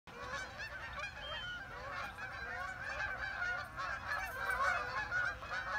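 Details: Geese flying overhead in the morning near a pond, calling continuously: a dense chorus of overlapping nasal honks, many birds at once, steady throughout with slight swells in loudness.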